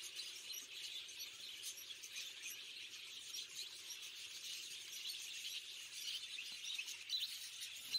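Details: Captive finches, males and females, chatter nonstop in thin, high chirps and squeaky notes that overlap into a busy wash of sound, with a faint low hum underneath.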